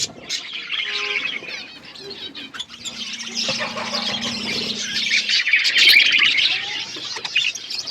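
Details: A group of budgies keeps up a steady stream of high, scratchy warbling and rapid chirps, growing denser and louder in the second half.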